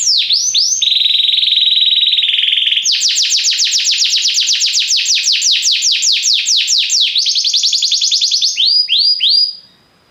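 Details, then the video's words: Belgian canary singing indoors: quick chirps, then a steady buzzy tone, then long fast rolls of downward-sweeping notes, ending in a few separate high slurred notes. "Canários belgas atraem o som das canções preguiçosas dos canários"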